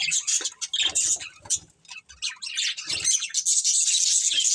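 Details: Steady twittering from a breeding pair of pet budgerigars, short scratchy chirps at first with low bumps, then a continuous bright warbling stream over the last two seconds.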